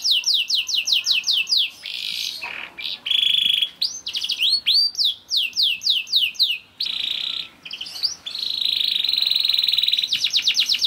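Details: Young canary song played to get other canaries singing, made of rapid rolling trills of downward-sweeping whistles, a harsh sustained buzz around the second, eighth and ninth seconds, and quicker trill runs at the end.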